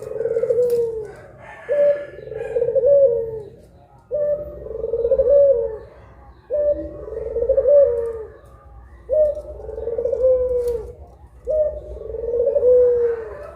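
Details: Steady series of six long low coos from two puter pelung collared doves at midday in Indonesia, each rising briefly then drawn out and falling, evenly spaced about every two seconds.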